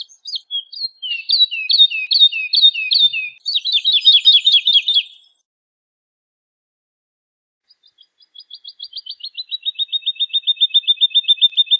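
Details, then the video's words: Woodlark song: clear whistled phrases of repeated, slightly descending notes at a steady rhythm, a brief pause, then a long accelerating trill of liquid notes that gradually falls in pitch and fades lower, with no other sounds. "Woodlark Singing! Woodlark Calling!"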